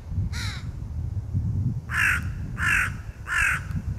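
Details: Crow calling as it feeds its young in 2022; one rough caw, then a pause and three evenly spaced, strong harsh caws about two-thirds of a second apart, low background rumble.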